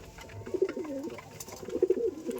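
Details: Domestic pigeons of many kinds at a home loft in West Bengal give low, rolling coos that swell and fade in soft, throaty phrases as the flock returns one by one and settles to eat wheat.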